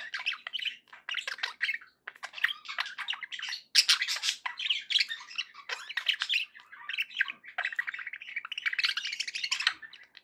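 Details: Happy pet budgerigars chattering nonstop: dense, scratchy warbling mixed with sharp chirps and squawks, heard indoors in a small room.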